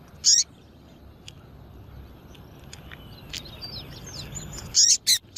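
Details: Female Double-collared seedeater call used to attract males: one bright, high chip at the start, then a quiet stretch of faint thin bird whistles and hiss, ending in a quick burst of three loud chips.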